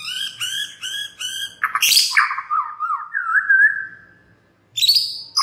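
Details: Murai batu, or white-rumped shama, lure recording to prompt other birds into song: a series of harsh repeated nasal notes, then a descending slurred whistle, a pause, and renewed high chatter.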